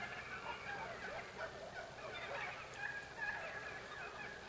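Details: Wild turkeys (Meleagris gallopavo), a flock waking up in the morning, Oct 9, 2016, give a steady chorus of overlapping short clucks and raspy yelps with no clear break.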